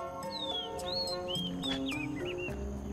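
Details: In a garden at Pasir Ris Park, Singapore, an Oriental Magpie-Robin sings a melodious run of clear, varied whistles, some sliding up and some falling, over steady background music.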